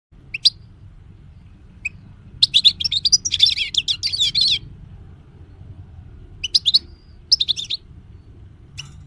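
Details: European goldfinch singing, recorded in 2020 as a tutor song for other birds: bright, high twittering bursts with a dense liquid trill in the middle, scattered sharp chirps before and after.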